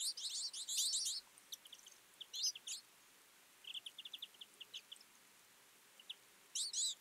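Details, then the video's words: Feeding twite in a winter flock, with dense bursts of high overlapping chirps, then a soft run of evenly spaced short notes, and another loud burst at the end. "Twite. Flock of birds in winter"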